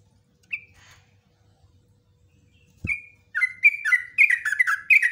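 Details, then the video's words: Caged yellow-vented bulbul in the 'ropelan nguklik ngecruk' style. A few isolated notes and a click lead into a fast run of bubbling, chattering warbles that grow louder toward the end. Used as tutoring material for other cage bulbuls. "LIVE TRUCUKAN ROPELAN NGUKLIK NGECRUK"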